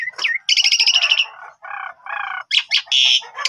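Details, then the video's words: Harsh, grating Asian pied starling song played as a lure for untrained starlings: squawks, buzzy nasal rattles at a lower pitch, then loud scratchy bursts. "Jalak Suren Bahan Langsung Respon Nyaut Gacor"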